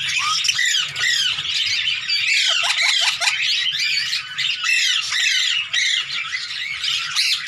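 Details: A hand-tame Indian ringneck parakeet plays with its owner, producing rapid, raucous squawks in bursts separated by short pauses, with some sharp downward-swept notes in the middle.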